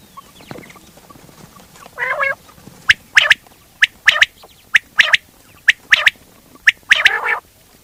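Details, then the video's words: Common quail: after a quiet start, a harsh grating burst, then a run of crisp clicking notes in pairs and threes, ending in another rasp. "quail hoting batrea sound"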